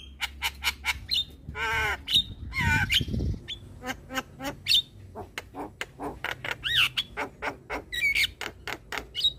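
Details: Song of a Black-winged starling, meant to set stressed or lazy starlings singing. Sharp harsh notes repeat at a brisk pace with scattered whistled slurs. A low rumbling noise burst comes early on.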